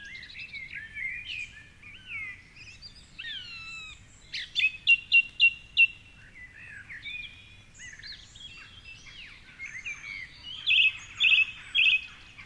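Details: Dawn chorus by the Curragheen River, Cork City, Ireland, 4.45am, with a male song thrush on a high tree perch: varied slurred whistles, then a clipped note repeated four times in quick succession, more phrases, and a buzzy phrase repeated three times.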